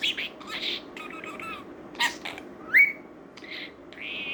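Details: A talking male budgerigar turning one year old chatters in a rapid, scratchy warble with speech-like phrases and one bright rising whistle.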